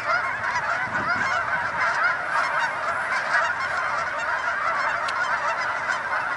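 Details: Steady din from many Canada geese gathered in Denver, Colorado: countless honks merge into a continuous, even wall of sound.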